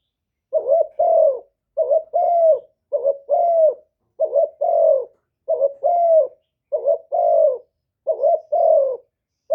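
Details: Decoy spotted dove calling to lure wild birds, one-ending coo style: paired low coos, a quick rising note then a drawn-out falling one, repeated regularly about every 1.2 seconds over quiet background.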